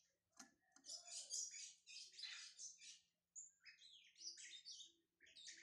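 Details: Brown-plumaged Lined Seedeater (bigodinho pardo) being warmed up to sing: rapid, dense bursts of high, scratchy twittering and chirps, broken by a brief pause near the middle, then resuming in short high phrases.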